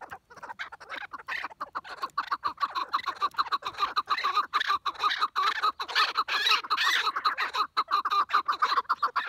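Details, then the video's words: A dense chorus of chukar partridge calls. Grating chuck notes run almost without pause for over nine seconds, irregularly spaced, with many birds calling over one another. "Keklik Sesi Muhteşem - Keklik Hengamesi"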